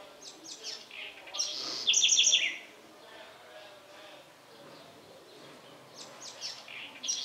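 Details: In the Bahia Sertão of Brazil, a house wren gives a rushing song phrase, soft chatter climbing into a loud, rapid, high-pitched trill of repeated notes, then a quiet stretch before fainter notes return.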